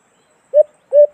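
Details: White-eared brown dove, locally called alimokon, call used as a lure for cage-trap hunting: two low, hollow hooting notes about 0.4 seconds apart, each slightly rising, in clean silence.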